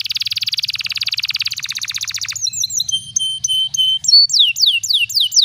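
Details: Canary pancingan song in a prized cengkok style for training young birds: a dense buzzy roll and fast pulsed trill give way to clipped whistles and loud swooping downward notes.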